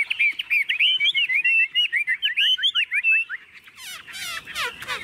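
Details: Tame young caged Chinese hwamei, newly arrived, hand-carried and unafraid of people or other birds, sings a fast run of varied whistled slurs, rising and falling notes packed closely together, ending in harsher buzzy bursts.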